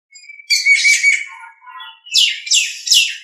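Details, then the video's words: Nias hill myna on a master recording for teaching other birds: a rich warbled phrase over a steady whistled tone, a short pause, then three loud downslurred notes about every half second. "Masteran Suara Jalak Nias"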